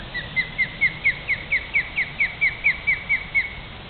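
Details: Osprey pair, male and female, at their nest with young in Great Neck, New York, defending it from a nearby person: a fast series of sharp, whistled, slightly downslurred chirps, about two per second, steady and loud over faint background hiss.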